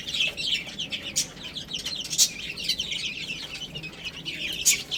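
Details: Several baby chicks eating and playing, giving continuous high-pitched peeps in quick, irregular runs, with occasional sharp clicks cutting through the chorus.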